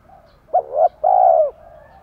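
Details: Spotted dove cooing meant to provoke a wild-caught male to answer. A single phrase: a quick warbling double note, then one long, even, hollow coo, with a faint background murmur.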